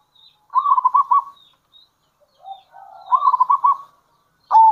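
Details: Local zebra dove cooing in kerot and bekur styles, used to lure other zebra doves: two trilled phrases of rolling beaded notes and a softer low coo, ending on a sudden loud note.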